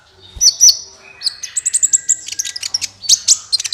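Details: Sunbird call used as a lure for trapping, called kolibri ninja, clear: high thin chirps and short whistled trills near the top of the range, fast sharp notes in bursts with brief pauses.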